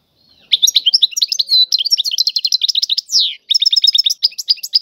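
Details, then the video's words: Tiwawati-style song from a European goldfinch, a dense run of sharp, high twittering notes broken by a drawn-out buzzy sweep near three seconds and a brief pause before the chatter resumes. "اعظم تغريد الحسون طيواواطي"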